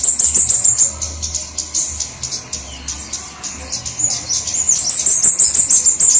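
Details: Flowerpecker lure sound covering all flowerpecker kinds: rapid, very high, thin chips and twitters repeated steadily, thinning briefly in the middle before a fresh busy burst of sharp high notes, over a low background hum.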